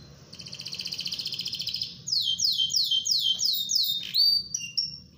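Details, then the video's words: Canary, a strong singer performing ngerol rolling song meant as a tutor for young canaries. A fast, steady high trill gives way to a string of loud, descending swooped whistles, then a few sharp separate notes. "KENARI GACOR NGEROL BAGUS UNTUK MASTERAN KENARI"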